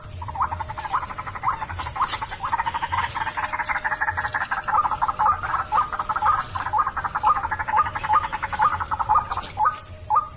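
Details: White-breasted waterhen lure: a long, steady stream of rapid croaking pulses with rising notes woven through, repeated about twice a second. A constant high whine underlies it.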